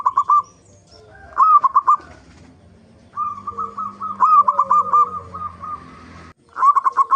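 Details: Zebra dove of a local type heard on a lure recording meant to prompt singing in other doves: clipped cooing trills, one long phrase of rapid notes, faint background hum.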